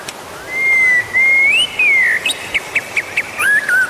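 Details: Song of a white-rumped shama, played to coax other birds into singing; long sustained whistles slide gently up and down, followed by a string of short sharp notes and a final twisting whistle.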